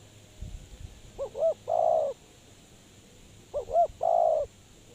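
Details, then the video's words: Decoy spotted dove for trapping. It gives two cooing phrases, each with a pair of short looping notes and then a long mellow coo. A few soft low thuds come early on. "Suara Terkukur Pikat Tua"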